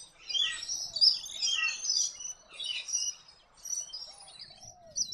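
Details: Noisy flock of scaly-breasted lorikeets from eastern Australia, nectar feeders, producing continuous shrill screeching and chattering in overlapping bursts, with faint lower whistled notes beneath.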